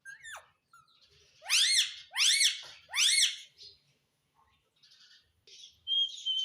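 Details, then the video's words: Talking pet rose-ringed parakeet, a green ringneck indoors, known for saying "mummy": three loud, evenly spaced, sharply descending harsh syllables about a second apart, a quick falling note before them, and faint whistled tones afterward. "Talking parrot || Mummy bolne wala tota || bolne wala tota"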